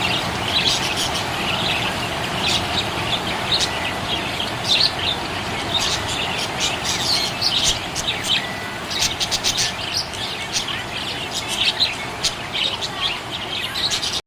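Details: Budgerigar chirping happily, a dense stream of high twittering chirps, squeaks and sharp clicks running without pause over a steady low rumbling background hum.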